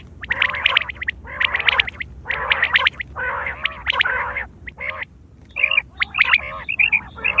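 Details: Quail in September 2023 giving a call used for hunting and mating: harsh, chattering bursts about half a second long in quick succession, then higher, clearer notes near the end.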